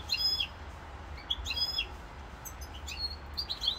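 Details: European goldfinch in Corsica, November 7, 2022, singing a lively string of chirpy, liquid notes that rise and fall, some doubled, delivered with barely a pause across the whole passage.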